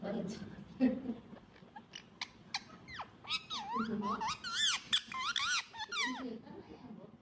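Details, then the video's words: Indoor pet ringneck talking parrot: scattered clicks and a few murmured low human-like sounds, then a lively stretch of looping, swooping squeaky chatter that fades near the end. "Talking Parrot"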